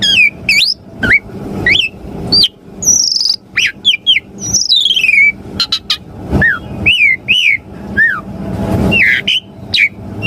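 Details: Asian pied starling song played so caged birds answer and sing: lively medley of looping whistles, repeated downslurred notes and a buzzy descending trill, separated by short pauses, with steady low hum throughout.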